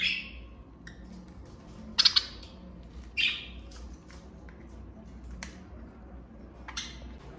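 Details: Pet budgerigars in the morning: harsh, bright squawks come in separate bursts, two sharp doubled notes near the two-second mark, then more scattered calls with quiet gaps, over a low steady indoor hum.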